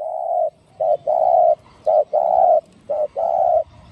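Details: Spotted dove giving a 'giọng đồng' style 'thúc gù' song meant to excite and lure other doves. Deep, husky coos alternate brief and drawn-out in a steady rhythm over a quiet background.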